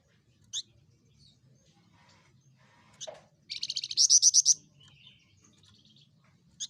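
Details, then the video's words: A Javan fulvetta, a small insectivorous bird with a loud voice, gives scattered sharp single high notes. Midway comes a fast run of about a dozen ringing notes that grows louder toward its end. "De flamboyante vogel is een kleine insectenetende vogel met een luide stem"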